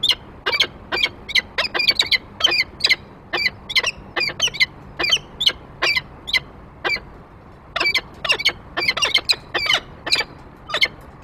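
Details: Peregrine falcons at the nest, 28 February 2023, male with prey on the grate and female following: bursts of sharp, grating calls in uneven groups, with a short lull in the middle before the calling picks up again.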